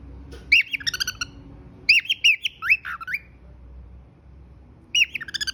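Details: Cockatiel kept as a pet, giving three bursts of whistled, warbling notes with rapid chirps and slurred rising-falling phrases, separated by quiet pauses of about a second.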